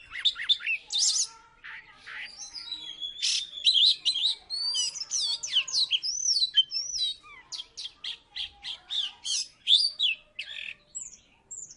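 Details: Oriental magpie-robin of the Salatiga type, a former third-place contest bird, singing vigorously: a rapid, varied run of high whistled slurs, sweeping rising and falling notes and sharp chirps, with short pauses between phrases.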